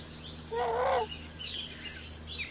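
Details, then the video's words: Great blue heron making a single half-second hoarse call with buzzy, layered tones. Fainter chirps from other birds follow against a background hum. "Great blue heron"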